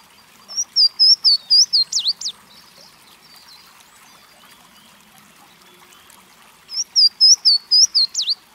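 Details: A Louisiana waterthrush (Parkesia motacilla) sings a few clear, high slurred whistles followed by a quick jumble of falling, twittering notes, given twice about six seconds apart.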